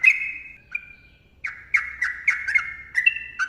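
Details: Yellow-vented bulbul, known locally as trucukan, delivering its long ropel song: a drawn-out warbled note, a pause, then quick bubbly phrases following one another rapidly.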